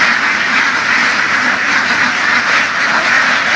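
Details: Dense, continuous quacking of a large flock of laying ducks herded through open fields in the western region, calls merging into a steady, harsh chorus with no pauses.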